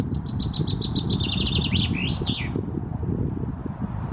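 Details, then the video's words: Male common chaffinch perched in a tree in Helsinki, Finland, singing in June 2018. A bright, accelerating trill descends in steps, then ends with a quick flourish of sweeping notes after about two and a half seconds. Strong wind rumbles throughout. "Chaffinch perching in the tree, singing"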